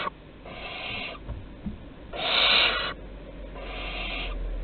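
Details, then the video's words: Barn owl young at the nest entrance during prey deliveries in Théding on 15 August 2020: three fairly quiet, wheezy hisses, the middle one loudest, over a low steady hum. "Livraisons à l'entrée - 15/08/2020 - Les Chouettes Effraies de Théding"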